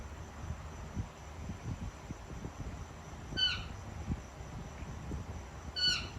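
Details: Pet female Indian ringneck parakeet making noises while eating her dinner, with food scattered on the floor: two short, harsh, rising squawks about two and a half seconds apart over a low rumbling and knocking background.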